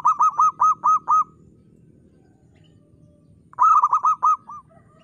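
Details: Local zebra dove with a crystal-style voice singing briskly. Six clear, arched, ringing coos come first, then a two-second gap and a second phrase of about six coos trailing off softly.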